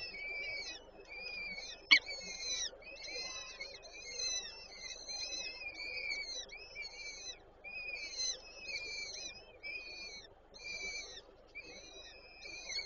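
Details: Peregrine falcon nest in Żerań, Warsaw, 8 May 2023, female feeding chicks: a long series of short, quavering, rising and falling calls, delivered in quick succession, with one sharp knock near the start.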